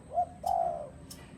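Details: Spotted dove calling, a short cooing note followed by a longer, slightly falling mellow coo; faint clicks in the background.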